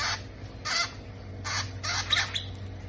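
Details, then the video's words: Parrot chicks beg during feeding with a run of short, rough, hissy squawks, irregularly spaced, with a faint low hum behind them. "feeding babies parrot"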